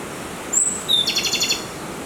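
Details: Song of the Japanese robin subspecies endemic to the Izu Islands, Tanegashima and Yakushima, from a dim forest floor in strong wind: a piercing high whistle, a second lower whistle, then a fast ringing trill lasting about half a second.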